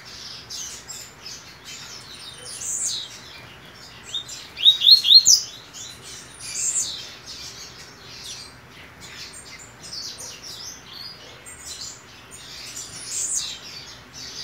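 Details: In a cage, with its mate nesting next to it, a double-collared seedeater sings on the day before a major competition: a long, irregular stream of high chirps and whistles, with a brief burst of rapid notes near the middle.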